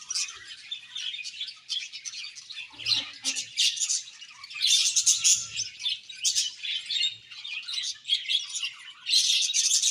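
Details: Happy budgerigar colony in full chatter: continuous high, buzzy chirps and squeaky warbling from many birds overlapping, swelling into louder clustered bursts every second or so.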